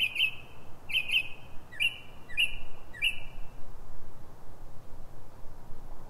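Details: Northern mockingbird singing before dawn, 3:44 am, in Silver Spring, Maryland, USA: a sharp chirped note repeated five times in paired and single bursts over about three seconds, then quiet with a faint low hum.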